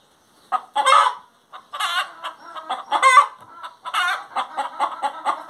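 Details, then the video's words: Hen singing: a run of short clucks building into loud, harsh, drawn-out squawks with rich harmonics, repeated in uneven bursts. "Galinha Cantando"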